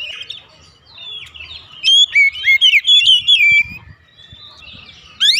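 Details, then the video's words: Oriental magpie-robin singing as a lure for home-kept birds: a soft lead-in, then a loud run of clear whistles and fast slurred notes, followed by quieter warbling and a sharp rising note at the end. "terapi pancingan Kacer tanpa mengenal waktu | Kacer rumahan pasti gacor"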